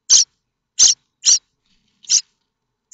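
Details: Loud, harsh, wheezing begging bursts from common starling nestlings at Théding, France, 7 May 2024, chicks springing up awaiting a parent with food; five rasping calls in three seconds, unevenly spaced.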